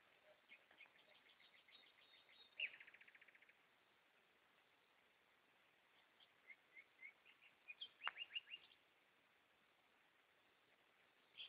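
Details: Goldfinches singing in darkness: soft twitters, then a fast buzzy trill of about a second, later a cluster of sharp chirps and a separate louder note at the close.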